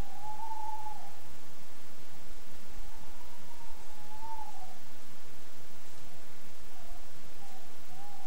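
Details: A male tawny owl gives a short hoot, a pause, then a long quavering hoot, with a female calling in the background, over a steady low rumble of background noise.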